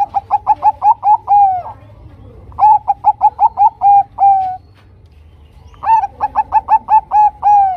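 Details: Bangkok-type zebra dove giving a lure song meant to set other zebra doves singing: three phrases, each of about seven short, soft, evenly spaced coos followed by two or three drawn-out, downward-sliding notes, with pauses between.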